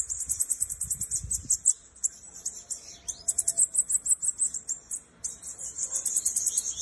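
A Bananaquit gives thin, very high, buzzy song phrases: rapid hissing runs of notes repeated over several seconds, with faint low rumbling early on.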